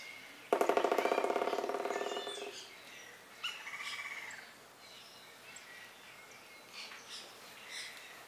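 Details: Lineated woodpecker in the Pantanal, Brazil: a loud, fast rattling series of harmonic notes lasting about two seconds and fading toward the end, followed by fainter scattered bird calls against a quiet natural background.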